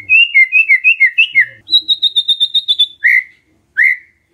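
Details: Lure recording of white-rumped shama song meant to provoke a response: a string of repeated downslurred whistles, then a rapid high trill, then two loud rising whistles.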